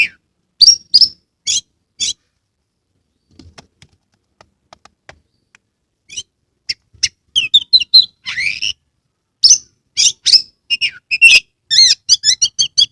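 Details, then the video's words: Oriental magpie-robin kept in Kebumen, Central Java, sings steadily as a lure to prompt silent birds. Scattered sharp chips open the clip, then a dense burst of rapid whistles, buzzy sweeps and trills builds toward the end. "Kacer gacor"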